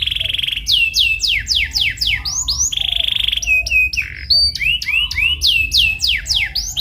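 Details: Canary lure song meant to prompt another canary to sing and learn a rolling chatter: a steady whistled tone, then a quick series of falling slurred notes, another held tone, and mixed rising chirps.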